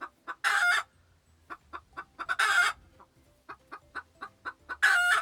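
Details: Farm chicken clucking: quick, sharp, evenly spaced clucks broken by three loud, harsh, drawn-out squawks, with soft low music in the background.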